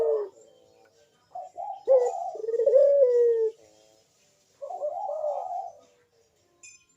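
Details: Puter dove singing in the bekur style, used to prompt other doves to call: short notes lead into a long, smooth, slightly falling coo, then a wavering hoarse phrase after a pause, in a small indoor space.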